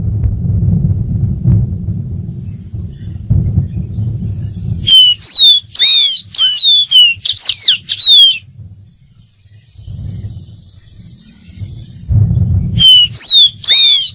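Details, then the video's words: After low rumbling noise, a dark-throated seedeater (Sporophila ruficollis) sings bright, rapid downslurred whistles in a phrase of several notes, pauses amid a faint hiss, then starts again. "Dark-throated Seedeater.Bird Singing.(Sporophila ruficollis)."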